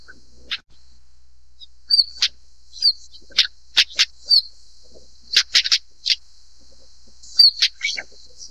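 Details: Stonechat call series of dry clicking 'tsak' notes, some in tight pairs or triplets, interspersed with brief high whistles against a constant high-pitched background hiss.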